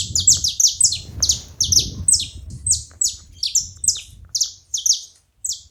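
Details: Saffron finches calling as a group, their bright descending chirps crowding together in quick succession throughout, over a soft low rumbling background.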